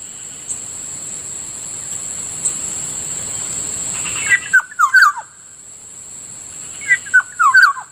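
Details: In morning air near a rice field, a Kilyawan or black-naped oriole repeats a rich fluty whistled phrase twice, each a fast cluster of liquid downslurred notes, with a thin continuous insect hiss throughout.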